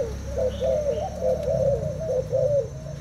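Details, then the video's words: Thai-type spotted dove, caged, competing with a decoy bird in a cooing contest; smooth coos flow in a near-continuous run of rising-and-falling notes over low background rumble. "Cu gáy thailand đấu gù mồi"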